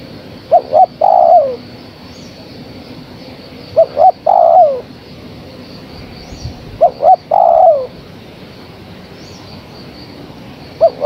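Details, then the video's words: Steady cooing by a female spotted dove calling the male: three phrases about three seconds apart, each two short notes and a long downslurred coo, and a closing short pair. "Suara Tekukur Betina Gacor Memanggil Sang Jantan"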